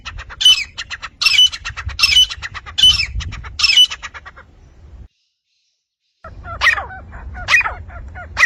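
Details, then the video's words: Harsh rasping partridge (titar) notes, from a set of Iranian and Dhakni male and female calls used for calling and hunting, repeated in a quick series, then silence, then thinner scratchy calls over low background rumble. "Iranian & Dhakni Titar saaf awaaz Male Female Sounds"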